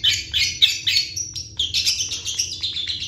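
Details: Cendet, the long-tailed shrike, in busy 'gacor' full-isian song: a fast continuous stream of high, scratchy, twittering notes and thin whistles with almost no breaks.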